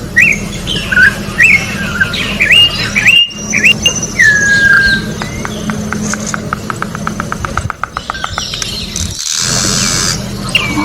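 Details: Wild orange-backed troupial song: several quick whistled upward-and-downward swoops and a long descending whistle, then a fast series of clicking notes from another source, ending with a hissy noise burst.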